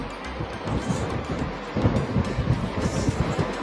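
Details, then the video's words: Atlantic Puffin on Skomer Island, UK, in June breeding season, gives a deep, rhythmic growling call, a low pulsing 'arr-arr-arr' like a lowing cow, over steady wind. "接下來，一起聽聽我在島上錄到的北極海鸚鵡叫聲吧！（北極海鸚鵡叫聲）"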